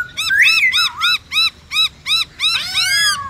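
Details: Black-throated laughingthrush (khướu bạc má), 'forest voice' song: a run of evenly spaced arched whistled notes, about three per second, with a slurred rising whistle early on and a rich overlapping burst at the end.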